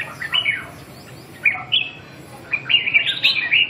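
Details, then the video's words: Red-whiskered bulbul singing a song style called Gluu dunghip: bright, quick chirps and slurred notes in short irregular bursts, densest near the end, in a small indoor space. "Gluu dunghip"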